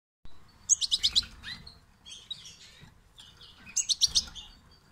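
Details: European goldfinch fledglings calling: rapid bursts of four or five high, sharp chirps, with softer twittering notes between, repeated about three seconds apart.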